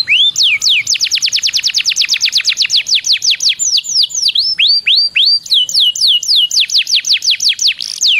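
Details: Lure song of a canary meant to set other canaries singing, a steady run of quick upward-sweeping whistled notes, about four per second, shifting into looser curved slurs and back again.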